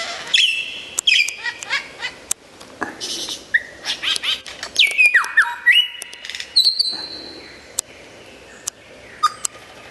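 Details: Lyrebird singing loudly: a dense, varied medley of sharp clicks, downslurred whistles, short buzzy notes and level whistled tones, changing every second or so.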